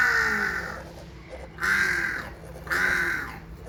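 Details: Hornbill producing three harsh, nasal, honking calls spaced roughly a second apart, with a steady low hum behind.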